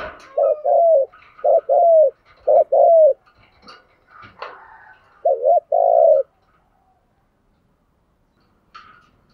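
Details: Spotted dove used as a decoy, urging coos to lure wild doves; three paired low coo phrases, then a gap of small knocks, then a final drawn-out two-note coo. The recording ends in quiet.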